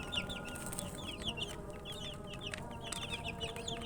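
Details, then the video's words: Chickens' chicks, thirsty for water, peeping constantly: many high, short descending chirps overlapping from several birds, over a low steady hum and faint clicks. "Murgi chicks Chirping sounds"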